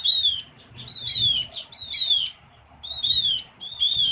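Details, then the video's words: Javan grey-throated white-eye, small forest bird of Java, lure sound: five bursts of high, slurred, twittering notes, each sliding slightly downward, separated by brief silences. "suara pikat opior Jawa/cucak gentong/pion/kiongan"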